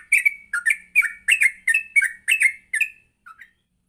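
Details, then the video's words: Yellow-vented bulbul singing energetically in the morning, song used to teach captive birds: a run of eight or so bright, slurred two-part whistles, falling and rising, then a faint final note and quiet. "Pancingan Pagi burung trucuk Gacor sangat cocok untuk melatih trucuk belajar bunyi dan ngropel"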